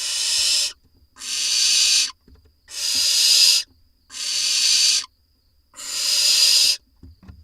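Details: In a nest box in Israel, 4 July 2021, with two voles brought by the parents, barn owls make five evenly spaced, rasping hisses, each near a second long, followed by a quieter tail.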